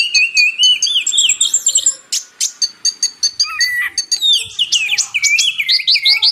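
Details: Purple-throated sunbird (kolibri ninja), a small forest-edge bird, singing; fast high twittering phrases of rising and falling whistled notes and sharp ticks, nearly continuous and clear.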